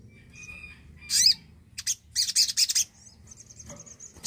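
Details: Javan cochoa song meant to spur quiet birds into singing: a thin high whistle, then an explosive harsh squawk and a quick series of scratchy, rattling bursts, ending in a long faint high tone over low hum.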